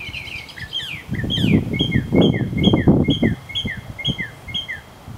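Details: A Northern mockingbird at Arlington National Cemetery, Virginia, USA, on 30 May 2015, sings varied chirps, then repeats one bright, sharp note about twice a second, over a low rumble of wind or traffic.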